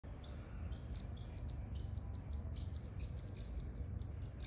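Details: Indian silverbills in Nice, France, in August 2024, give thin, high chirps, several each second, some overlapping, over a steady low rumble.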